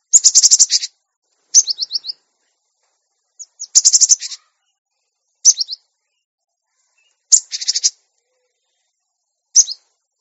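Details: A cinereous tit (Parus cinereus), recorded as tutor song for training captive birds, gives bright, high chattering phrases of rapid repeated notes, each burst under a second, with pauses of about a second between them.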